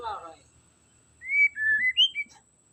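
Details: White-rumped shama singing, intended to rouse a quiet shama: a single smooth phrase of four or five linked whistles, rising then falling then rising higher, preceded by a brief muffled voice-like sound.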